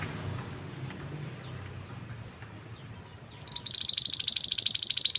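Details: Male scarlet-headed flowerpecker lure call for forest trapping; after three seconds of quiet low hum, a loud fast series of high, thin, sharp ticks begins, steady and repeated about three per second.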